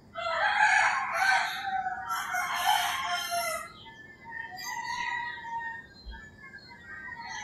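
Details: Roosters crowing at dawn in the rural Philippines, one long raspy crow over the first three seconds, followed by fainter crowing and thin bird whistles.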